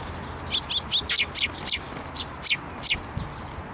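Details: Eurasian tree sparrows, with one young chick, coming to a hand to be fed at a Tenmangu shrine, 17 May 2024: quick bursts of sharp, high chirps and tweets, about two per second, over quiet background.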